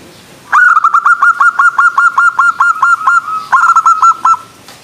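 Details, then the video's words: A local zebra dove (perkutut) gives a rapid run of about fourteen soft, even cooing notes, pauses briefly, then adds a shorter burst of five more; the call is described as attracting the opposite sex. "SUARA ANGGUNAN PERKUTUT LOKAL , BIKIN LAWAN JENIS AJAK RIBUT"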